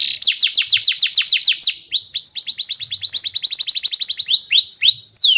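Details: Canary song used as a lure to train young canaries: rapid trills of steep downward whistled notes, then a fast run of short rising notes and a few looping upward whistles, loud and continuous.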